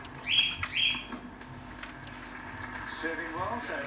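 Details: A pet female Bourke's parrot (Neopsephotus bourkii) chattering: two bright, high chirps close together, then softer scattered twittering, with a faint voice-like murmur near the end. Her owner notes she is very quiet.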